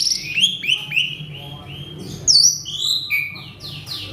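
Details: Worked-up male Asian pied starling with a varied mimicry medley: sharp rising whistles and short slurred notes, a loud upswept squeal, then clear whistled notes held briefly, all high-pitched against faint background hum.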